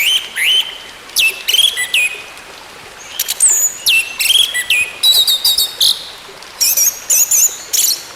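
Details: Orange-headed thrush singing, used as therapy for a bird that has gone quiet: varied short phrases of rising and falling whistles and chirps, some sharp upslurs, delivered in rapid groups with brief gaps.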